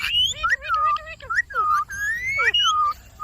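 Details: Pet Indian ringneck parakeet talking: a string of high, clear, tonal syllables with rising and falling glides, some short and clipped, others drawn out, with brief pauses between phrases.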